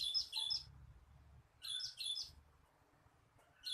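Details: Cinereous tit, recording used for luring birds: harsh high paired notes, a gap of about a second, then another pair; faint low rumble underneath.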